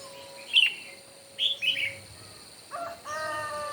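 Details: Morning singing contest of red-whiskered bulbuls: three quick, bright chirped phrases, then a lower, harmonic, buzzy call and a sustained tonal note from another sound close by.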